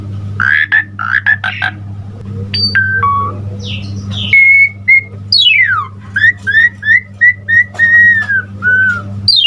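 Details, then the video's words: Asian pied starling delivering varied full-fill-in song: scratchy chattering notes, then steep descending whistled sweeps and a run of short upslurred whistles about twice a second, ending in arched whistles, with a low background hum. "Suara Jalak Suren GACOR Full Isian Terbaik"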